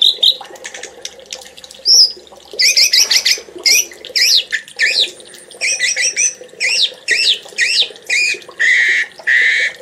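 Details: Oriental magpie-robin song used as a training master for songbirds: short bursts of high, looping whistled and buzzy notes repeated in evenly spaced phrases about every half second, with faint background hiss.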